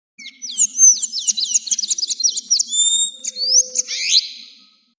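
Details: Sayaca tanager song from Argentina, offered for teaching captive birds: a rapid run of squeaky, high, looping whistled notes, about a dozen in quick succession, then a few thinner slurred notes and a final burst.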